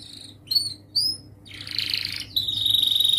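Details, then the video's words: Young canary in training for young birds learning song: short high whistled notes, then a buzzy trill and a sustained high steady whistle with faint pulsing. "Masteran Kenari gacor Muda belajar NATA LAGU, paling Pandai utk pancingan kenari paud belajar bunyi"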